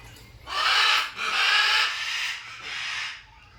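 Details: Macaw giving three loud, harsh, raspy squawks in close succession, each lasting roughly half a second to a second with brief gaps between, over quiet background noise.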